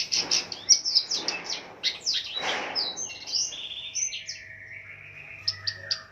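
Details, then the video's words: Long-tailed shrike fighter bird singing hard: loud scratchy high chirps at first, then descending and level whistled notes, easing into softer lower phrases before a few final sharp chirps; faint low hum underneath. "Burung pendet figther gacor dor full isian ediaaaaan...!!!"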